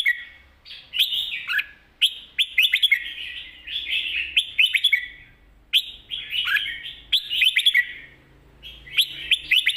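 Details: Energetic 'mae bot sap krajai' master song of a red-whiskered bulbul: repeated busy phrases of fast, bubbling, slurred chirps, delivered in bursts separated by short silences.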